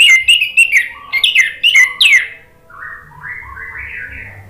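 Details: Orange-headed thrush (anis merah) in lively 'gacor' song in the 'ngeplong' style, played to provoke a silent bird into singing: loud, varied whistled phrases with sharp, rapid notes for two seconds, then softer, lower warbled phrases.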